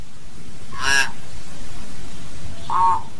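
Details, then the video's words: Hill myna calling its flock: a brief, harsh, broadband squawk, then a pause and a short, nasal, honking note lower in pitch. "Tiếng Nhồng hót, tiếng Yểng hót gọi đàn"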